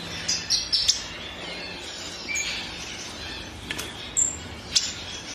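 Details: Violet-eared waxbill (Granatina granatina) giving thin, very high chirps: a quick cluster at the start, then single sharp notes every second or two over a quiet outdoor hush.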